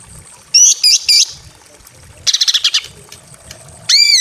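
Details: In a simple aviary, a breeding-condition female greater green leafbird calls to a male: three loud arched whistled notes, a rapid rattling chatter of clipped notes, then one strong arching whistle after a quiet gap.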